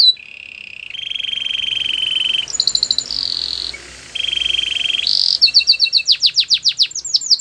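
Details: Belgian canary singing long level trilled notes at two pitches, broken by brief high twitters, ending in a quick run of sweeping chirps.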